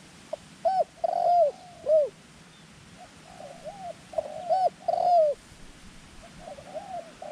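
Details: Decoy dove calling wild doves in: groups of crisp, hooked coo notes, the phrase repeating roughly every four seconds, quieter softer notes trailing at the end.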